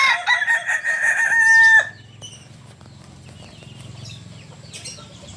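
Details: Landiak-class crow of a biriang merah Kukuak Balenggek cock from Solok, West Sumatra: choppy stepped syllables ending in a long level harmonic note, followed by low background hum and faint bird chirps.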